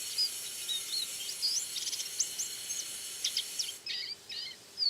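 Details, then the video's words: White-eye (pleci) actively calling: a rapid run of thin, high twittering notes with quick rising and falling chirps, over a steady background hiss. "Burung Pleci Kacamata Kuning Putih Suara Aktif"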